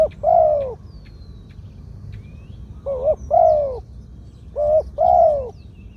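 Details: Spotted dove, a decoy bird with a medium-pitched voice, giving its two-'kuk' 'khu-aang' song: mellow paired coos repeated about every two seconds, each a short wavering note then a longer falling one, with faint thin chirps of other birds behind.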